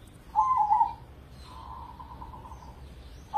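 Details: Indonesian caged crossing zebra dove sings one bright, rolling coo phrase. A softer, longer wavering coo follows, and a new phrase begins at the end.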